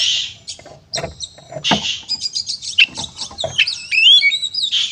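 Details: Oriental magpie-robin delivering a fighting song to provoke others: harsh buzzy bursts, rapid clicking chatter, then a run of bright whistled upslurs and trills toward the end, loud and continuous.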